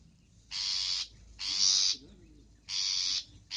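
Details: Long-tailed shrike singing a filler-rich song: three long, harsh, rasping buzzes, each about half a second, separated by short gaps.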